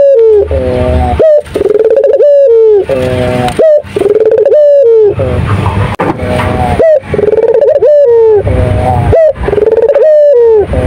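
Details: Turtle dove singing actively and close: repeated rich coo phrases, each with a sharp rising note sliding down into a long falling tone, about every two seconds across the stretch.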